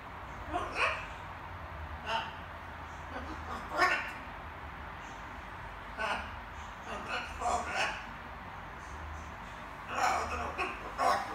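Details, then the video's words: Young pet macaw babbling in the evening while practising various words, indoors: short, hoarse, speech-like bursts of syllables spaced a second or two apart, with a low steady hum underneath. "Wieczorne gaworzenie małej papużki"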